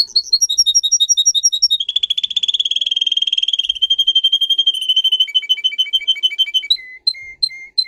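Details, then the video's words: Pet canary song for training other singers: quick chirped tours, a long buzzy rolling trill, then spaced staccato notes and lower whistled calls, changing phrase every few seconds; recorded cleanly indoors with no background noise. "Canary song video - type of song"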